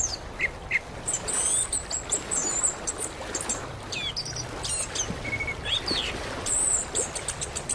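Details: Orange-headed thrush sounds played as therapy to get a silent caged bird singing, Indonesia. Scattered sharp chirps and brief whistled notes, some sliding, come at uneven intervals over a steady hiss.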